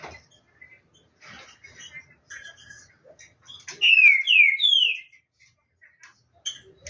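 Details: Captive green-winged saltator, kept for competitions, warming up before the season: soft scattered chips, then three clear downward-sliding whistled notes in quick succession, then quiet clicks.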